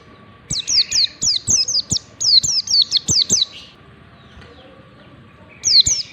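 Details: Lure recording of white-eye ngalas song to train white-eyes: a long string of roughly twelve rapid, piercing downward-sweeping whistles, then a quiet gap, then two more notes at the end.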